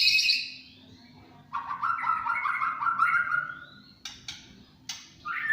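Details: Song of a champion white-rumped shama in the 'tembakan cililin' style, starting with a high bright note, then a rolling series of warbled mid-pitched notes and two abrupt, sharp clicks before a final rising whistle.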